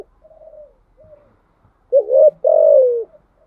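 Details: Spotted dove cooing in the thúc gù song style: a few soft short coos, then two loud low hooting notes, the first wavering and the last long and gently falling, in a quiet setting.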